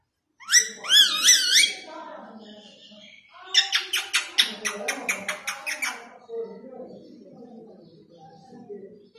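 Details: Pet rose-ringed parakeet speaking Urdu and Hindi words: a few rising-and-falling voiced syllables, a pause, then a rapid clicking, chattering run of sharp notes, fading into soft low murmuring.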